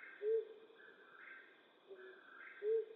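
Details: Flammulated owl at night in western North America: two short, deep, soft hoots about two and a half seconds apart, with a quieter note between them, over a continuous high hum and faint mid-pitched pulsing.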